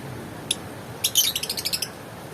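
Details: Lovebird chatter: one sharp high chirp, then a rapid string of about eight shrill, clipped chirps repeated several times a second, fading slightly toward the end.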